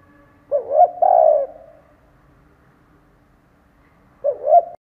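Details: Decoy spotted dove cooing to lure and stir up wild doves: a low, mellow two-part coo, first a wavering double note, then a drawn-out falling coo, followed after a pause by another wavering coo.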